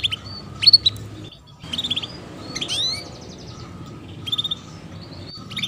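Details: Chirping of a female canary, a 'cuit cuit' lure played so juvenile canaries start singing quickly: bright rising sweeps and brief rattling trills in separate bursts, a faint steady tone underneath, and low hum.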